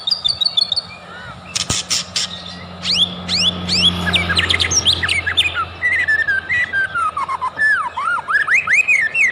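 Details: Energetic white-rumped shama song used as a lure to provoke singing: a burst of clicks, then rich, varied whistles with rising and falling sweeps, loud and continuous over high chattering notes.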